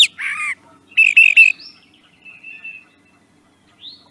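A Brown Thrasher sings brief, varied phrases of high chirps, buzzy notes and clear whistles, separated by short pauses. No other sounds are heard.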